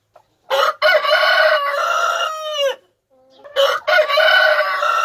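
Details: A domestic rooster crowing: one loud, hoarse, strongly harmonic crow of about two seconds, broken into syllables and ending in a falling, fading tail, then after a brief pause a second crow starts and runs to the end.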